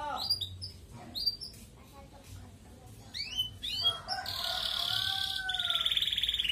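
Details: ["Red canary master song in 'ngerek' style for stimulating breeding in females. Scattered chirps and short rising notes at first, then a loud rattling trill followed by a finer, higher trill, with some background chatter."]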